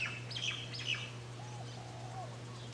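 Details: Japanese White-eye (Mejiro) in a backyard on Maui, Hawaii, spring or summer 2020: a quick burst of high, thin, twittering chirps, followed by soft lower whistles from another bird over a constant low hum.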